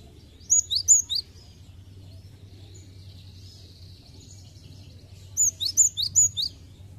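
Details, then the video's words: Cinereous tit song for coaxing other birds into song: two bursts of five or six high, sharp whistles, about five seconds apart, separated by faint twittering and a steady low hum. "Pancingan Gelatik Batu bahan Agar cepat gacor"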